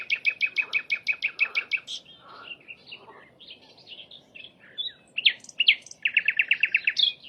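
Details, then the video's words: Wild flycatcher in full song: a quick series of about ten sharp, bright repeated notes, a stretch of varied twittering phrases, then another fast burst of evenly spaced high notes. "kicauan burung sikatan Londo, gacor di alam"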